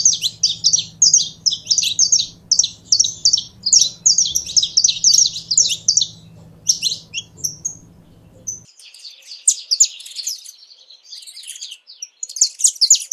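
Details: Saffron finch singing a lively, high, chirping song of rapid twittering phrases in bursts. A low hum sits underneath for the first eight seconds, then the song continues more sparsely in near silence.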